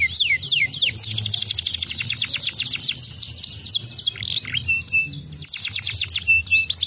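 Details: Canary song used as a lure to get other canaries singing: fast, dense trills of sweeping high notes, shifting into rapid rattling runs with a few clear piping tones near the end.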